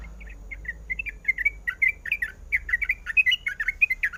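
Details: Calling female sooty-headed bulbul, in breeding condition, summoning a male: sputtering chirps that start sparse and build into a dense, excited run of bright notes.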